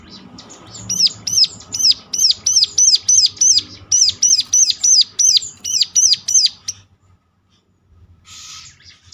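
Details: Lure recording of a ciblek to get other ciblek singing back: after soft chatter comes a long, even run of loud, sharp arched high notes, about three a second, ending abruptly in near silence with faint hiss.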